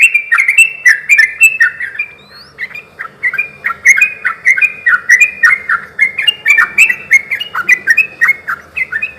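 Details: Song of a sooty-headed bulbul, meant to stir other bulbuls into answering: strings of quick, warbled two-part notes repeated steadily for nine seconds, with a brief thin rising whistle early on.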